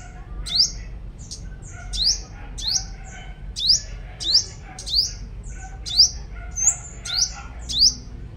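A sunbird sings a run of sharp, very high downslurred notes, roughly one every half to one second, over a faint low background hum.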